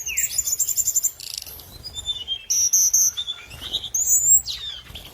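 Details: High-pitched lure song of the scarlet minivet, mixing steady thin whistles, short buzzy notes and upward-sweeping slurs in an uneven, lively sequence with faint low background hum.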